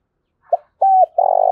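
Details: Lure call of a spotted dove: a brief soft note, then a level hooted coo ending in a droop, then a long, steady, buzzy coo that runs to the end.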